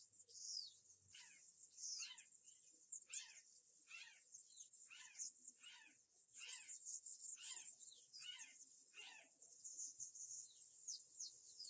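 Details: Azure jay recorded by a live nature camera on 11 July 2013 at 13:56: a steady series of about a dozen harsh, downward-sweeping notes, roughly one every 0.7 seconds, over a faint, quiet background.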